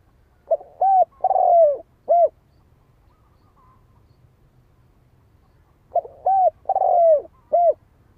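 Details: Spotted dove calling: two phrases about five seconds apart, each of four mellow cooing notes, the third long and sliding downward, over a faint low rumble.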